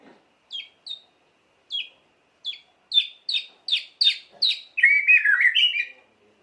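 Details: White-rumped shama song, used to rouse other shamas into singing: slow, spaced downslurred whistles that speed up and grow louder, ending in a rich, fast warble.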